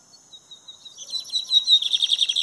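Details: Lined seedeater in full song during a walk. Thin high notes build into a fast, pulsing, buzzy trill that grows steadily louder toward the end.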